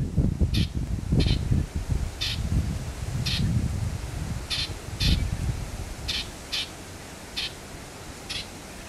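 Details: An Australian reed warbler at Miaree Pool, Maitland River, southwest of Karratha, Western Australia, on 6 June 2012 gives short, harsh, chattering notes at an uneven pace, about one a second, over steady low wind rumble.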